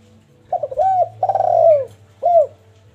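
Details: Zebra dove song, played to bring birds into breeding condition: a soft stuttering lead-in, then mellow arched coos and a longer rolling, trilled coo, ending with a single clear coo, over a low steady hum.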